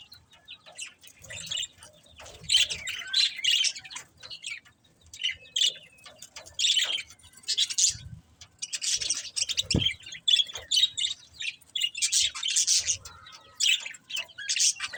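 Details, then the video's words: Budgies chirping in scattered scratchy bursts of warbling chatter over fifteen seconds, mixed with rubbing, rasping noises and occasional low knocks. "Cute Budgies Chirping Sounds"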